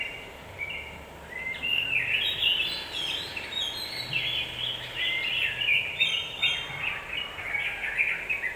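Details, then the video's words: Yellow-vented bulbul provoking call used to stir up other birds: a rapid, busy stream of chattering, bubbling notes, dense and unbroken over several seconds, with a light background hiss. "Suara pancingan burung trucukan agar cepat emosi"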